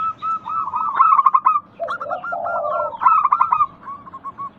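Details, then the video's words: Local zebra doves sing as a lure to make other doves call: loud rolling bursts of short coo notes alternate with a low, buzzy purring phrase. Brief high chirps from other birds overlap. "Pancingan Ampuh burung perkutut lokal bikin nyaut kutut sekampung Untuk Atasi macet bunyi"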